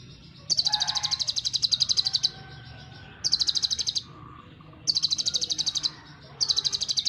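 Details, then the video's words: Brown-breasted ninja sunbird giving varied song shots: repeated bursts of rapid, high, buzzy trills lasting one to two seconds, separated by short pauses with soft lower twitters. "KONIN Kolibri Ninja DACOK Dada Coklat GACOR beragam tembakan || CHIRPING SOUND ||"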